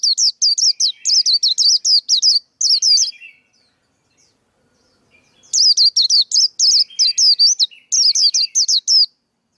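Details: Male white-eye song used to train young birds' singing and as a trapping lure: rapid runs of high, sharp, warbled notes, each swooping down then up, in two long bursts separated by a quiet pause.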